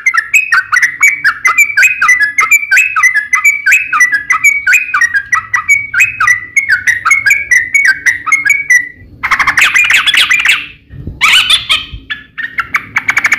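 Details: Sooty-headed bulbul singing its fighting song with long trills, played to coax other bulbuls to respond; nine seconds of quick, repeated chirpy phrases, then a stretch of noisier harsh bursts with background rumble.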